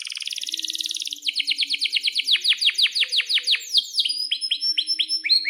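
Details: Canary singing hard with chirps and a long roll, used as a lure and tutor for young or silent canaries: a dense buzzy trill, then a rapid train of falling chirps and slower rising whistles.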